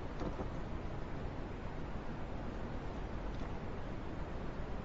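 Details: Steady rumbling broadband noise like a motor or running water, strongest in the low range, with no animal sound.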